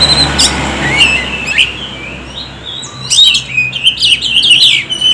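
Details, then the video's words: Oriental magpie-robin lure song, used to draw birds in and push reluctant kacer to sing: bright whistled phrases and sharp chirps, slurred high notes bunched near the start and again in a dense burst after three seconds, with low background hum. "SUARA KACER PIKAT |KACER MALAS BUNYI JADI GACOR"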